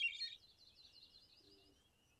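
Hermit Thrush: a bright, high opening note slides into a wavering, flute-like phrase that rings on and slowly fades, with a faint low hum beneath.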